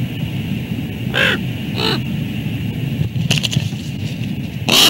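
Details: At the Two Harbors bald eagle nest, ravens chase each other over stolen food. Two rasping croaks sound, then clattering scuffle noises, and a final louder croak, all over a heavy low wind rumble.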